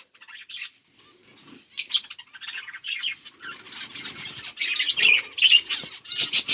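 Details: Several budgies feeding on seeds, October 30, 2023, giving scratchy chirps and squawky chatter in uneven bursts that grow louder and fuller toward the end.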